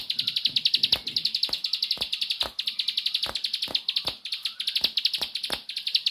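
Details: Bar-winged prinia pouring out an unbroken 'nembak' song of quick, bright, high pulses repeated many times a second, with repeated sharp clicks throughout.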